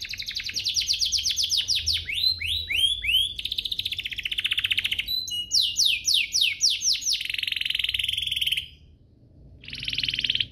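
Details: Canary song intended to make other canaries sing energetically: quick downward-swept notes, hooked chirps and buzzy trills in changing phrases, a short gap, then a final buzzy burst.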